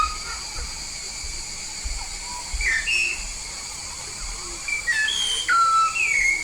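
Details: Yellow-faced myna from Papua gives sparse whistles at first, then a quicker sequence of rising and falling pure notes near the end, over a low continuous hiss.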